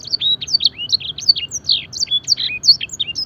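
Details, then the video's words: Fancy canary mimicking blackthroat and edel sanger, singing crisp, high whistled notes and short slurs in quick bursts, clear and loud with tiny gaps between phrases. "masteran suara burung kenari full isian mewah blackthroat dan sanger gacor"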